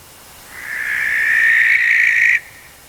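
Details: A Barn Owl recorded in the wild at night gives one harsh, hissing screech, drawn out for nearly two seconds and cut off abruptly. It is raspy and scream-like, with no hooting, over a quiet background.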